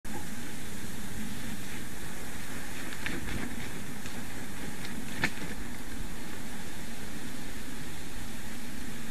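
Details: Steady low rumbling noise, like traffic or a passing vehicle, with a few faint clicks and no animal voice.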